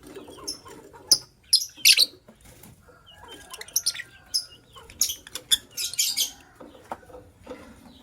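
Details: A matched couple of white lovebirds chattering with loud, rasping high-pitched chirps, fired in quick irregular clusters, some doubled, interspersed with short quieter twitters and brief gaps of near silence.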